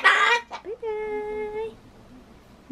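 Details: Ducorps's cockatoo kept as a pet, talking at home and trying to say bye-bye: a loud rough syllable, then a clear steady whistled tone held for about a second; a person's voice is audible.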